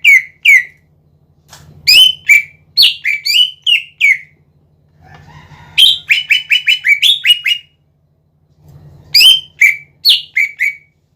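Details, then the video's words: Greater green leafbird (cucak ijo) in full song, used as a lure to provoke other leafbirds into singing; bursts of sharp chirping notes sliding down around mid-pitch, three phrases separated by pauses, with a faint low electrical hum beneath. "PANCINGAN CUCAK IJO GACOR"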